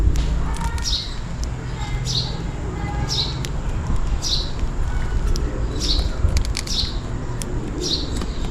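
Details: Rainy-day sparrow calling for food: a regular string of about eight high, falling chirps, close to one a second. Faint lower tones and a continuous low rumble run beneath them.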